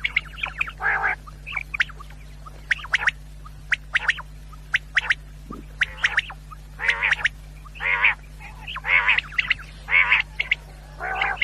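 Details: Quail sound for hunters: brisk clicking chirps grading into a series of rough, harsh calls that grow denser toward the end, over a steady low hum.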